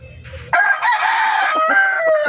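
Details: Chicken crowing in a backyard poultry yard: after a quiet low-humming start, a sudden loud, rough crow held for nearly two seconds, with a slight fall near the end.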